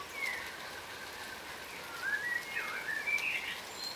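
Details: Australian yellow rosellas, a subspecies of crimson rosella, foraging on the ground; sparse, quiet whistled calls, each a short rising or falling slur, scattered over a few seconds against a constant hiss.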